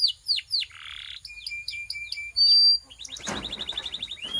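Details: Belgian canary warming up: a few slurred notes, a soft buzzy phrase, a row of short whistles, a loud pure held note, then a fast rattling run.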